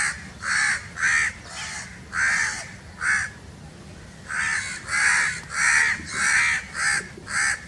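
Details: Harsh, very loud crow caws in two bursts of rapid, grating calls separated by a short quiet gap in the middle.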